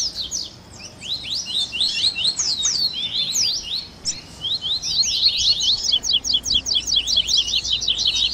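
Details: Double-collared seedeater chatter meant to stimulate a captive bird to sing: scattered high twittering notes at first, building into a fast, regular series of sharp repeated chirps during the second half.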